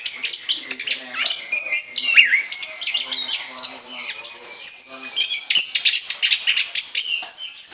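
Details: Long, lively song of an Orange-headed thrush intended as a lure: repeated sharp high notes, twisting whistles and clustered twitters, with a brief lull midway before the rapid chatter resumes.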